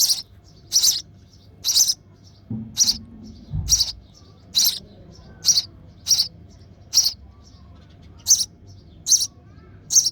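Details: Baby sparrow in the nest begging as the mother brings food: shrill, high chirps repeated roughly every 0.8 seconds throughout, with a soft low thump midway.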